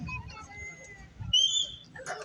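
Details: Female umbrella cockatoo at a bird show at African Lion Safari saying hello in her own sweet, sugary, high-pitched voice: a brief, clear, whistle-like phrase rising out of a presenter's speech and low crowd murmur.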